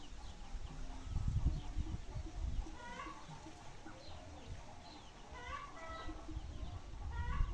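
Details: Free-range hen in the countryside giving several short, harmonic, rising calls in small clusters, over a strong low rumble of background noise.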